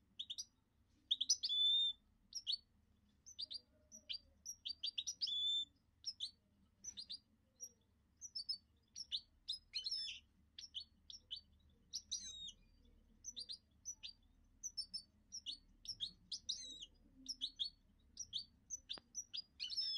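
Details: Goldfinch mule in lively, sustained song: rapid high chirps, clipped twitters and short whistled slurs strung together almost continuously with only tiny gaps, in a quiet setting.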